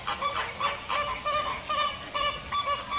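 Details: Short burst of American flamingo honking: clipped nasal two-part notes repeated a little over twice per second, with other flock members calling behind.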